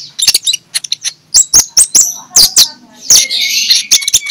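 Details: In the morning, an Oriental magpie-robin sings in the clear ngeplong style to lure others into song. Quick high clicks and chips lead to piercing whistled phrases and a rich warbling run near the end, over a faint low hum.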